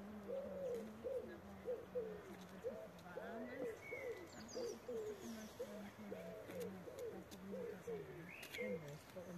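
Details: A pigeon on a spring walk at Haneberg, Germany, near shrubs and sheep pastures with lambs, gives soft, low, rolling coos in a steady run of phrases, with faint voices and outdoor background.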